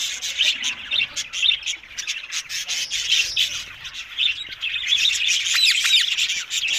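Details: Multiple green ringneck parrots giving fast, irregular, shrill chirps and rasping squawks, roughly four a second, forming a busy, high chorus that grows denser in the second half.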